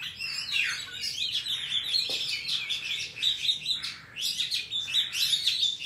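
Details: Oriental magpie-robin pouring out wild forest song, used for training young birds: dense, high chattering warble of squeaks and whistled slurs, swelling and fading in waves, with one brief dip in intensity mid-phrase.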